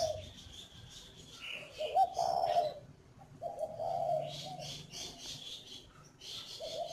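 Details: Spotted dove at a breeding farm near Hanoi, Vietnam, giving quieter, muffled coo phrases spaced a second or two apart, with higher chirps of other birds and a faint hum throughout.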